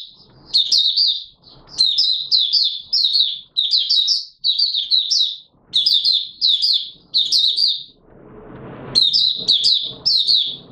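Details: Oriental white-eye (Mata Puteh Raja) in opening song, recorded 24 March 2022: high, sweet twittering phrases of quick slurred notes, delivered in bursts about a second long, separated by short pauses, with a faint low rustle near the end.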